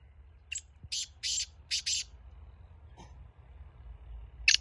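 A black francolin gives a quick run of five harsh, grating, high bursts, then one more rasping note after a short pause.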